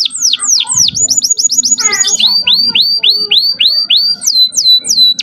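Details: Young canary singing a full, varied song meant to stir female canaries into breeding condition: rapid repeated down-slurred whistles, a short buzzy trill, then a long series of upward-swept notes repeated several times a second.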